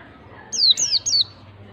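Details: White-eye singing to coax a reluctant caged bird into song: three loud, very high whistled notes, each sliding downward, delivered in under a second against a quiet background.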